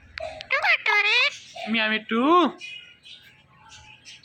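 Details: Hand-tame pet parrot talking and dancing: quick voice-like harmonic syllables, rising and falling like spoken words, trailing off into quiet chatter.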